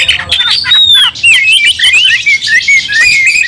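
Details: Oriental magpie-robin singing in a fighting state, with another bird joining in anger: fast, continuous wavering whistles rising and falling in quick loops, interspersed with scratchy grating bursts.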